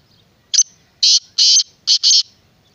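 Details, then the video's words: Black francolin (kala teetar) with a clear, loud grating call of five harsh notes, a brief opener, two longer rasping notes and a quick final double note, in near silence. "Black Francolin kala Teetar"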